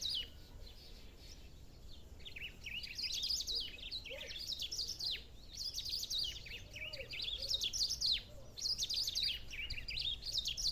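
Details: Black-throated saltator singing outdoors in the countryside, with long, lively bursts of high, quickly rising and falling chirps packed several per second. Softer lower notes and faint background hum sit beneath the song.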